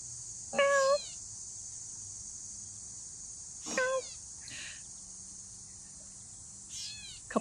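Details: Gray catbird recorded outside Hickory Knolls, giving its cat-like mew call, a nasal slurred note repeated about every three seconds, with a steady high insect-like hiss throughout.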